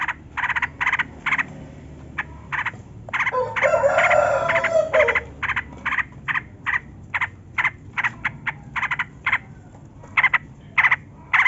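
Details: Yellow-vented bulbul giving long-rolling, energetic song used to coax lazy caged bulbuls into singing. Rapid gurgling phrase bursts recur irregularly, with a brief louder rushing noise midway.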